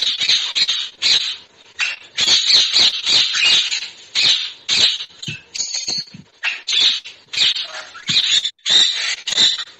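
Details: Series of about twenty harsh, high-pitched screeches from a parrot, coming in rapid, uneven bursts with short gaps between them. Played back in a Marathi primary school lesson about birds.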